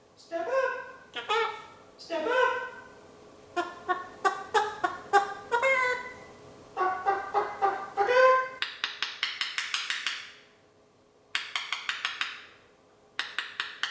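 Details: A pet male eclectus parrot, one year old, clucks like a chicken. Irregular nasal clucks come in bursts, some rising and squawky. Later come quick rattling runs of harsh clicks with short pauses between them.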